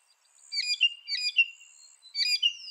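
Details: Mockingbird song phrase of paired slurred notes, bright and whistled, repeated three times with brief gaps between them, against a quiet background.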